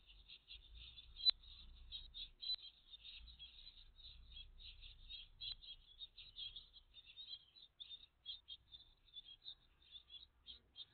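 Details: Great tit family at the nest, filmed live on 14 June 2023 between 09:48 and 09:58; a dense, continuous chatter of high, thin chirps runs without pause, broken by a few sharp clicks and low rumbling knocks.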